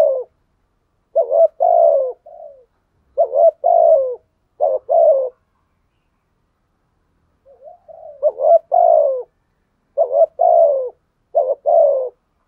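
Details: Cooing of a spotted dove kept as a lure bird: repeated low hollow phrases, each a stuttered pair of coos and a longer falling note, six groups with a long silent gap midway.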